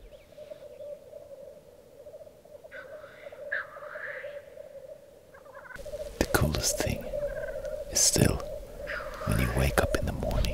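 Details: Black grouse at a spring lek in southern Norway in April, before dawn while still dark: males fighting bubble steadily in a low, dove-like cooing chorus, with sharp hissing bursts later, and a man talking over it.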